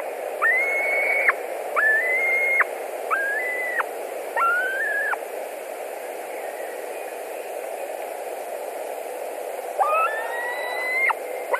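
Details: A Latvian white-tailed eagle nest at 21:09 on 11 July 2020, one bird back for dinner: four short, level whistles ending in sharp drops, a pause of several seconds, then more whistles, all over low continuous hum.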